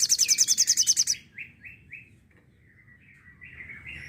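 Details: Sooty-headed bulbul 'tembakan' song meant for tutoring songbirds: a rapid, ringing rattle of high pulses for about a second, then three short downward-slurred notes and a quieter wavering phrase.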